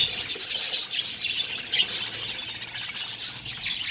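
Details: Nestling budgerigars, several colorful chicks in one nest of a breeding colony, keep up a steady rasping chatter of overlapping high squeaks and squawks, strongest at the very start and near two seconds.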